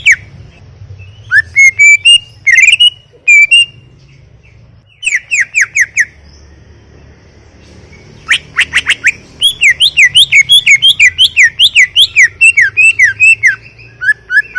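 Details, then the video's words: Greater green leafbird, a kept songbird in full vigorous song: loud rapid phrases of whistled, sharply rising and falling notes around a bright pitch, interspersed with chattering bursts and short pauses, over a faint low hum. "Full Gacor 40 menit CUCAK IJO"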